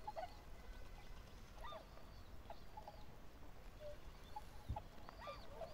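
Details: Tundra swans calling: short nasal honking notes with bent, rising and falling tones and strong overtones, given in loose bursts every second or so over a steady low rumble of background noise.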